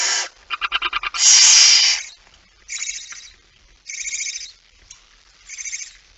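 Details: Male barn owl with a mouse at night, 17 September 2019: a quick series of rapid ticking clicks runs into a long raspy screech, followed by three shorter, more tonal wheezy calls spaced about a second apart.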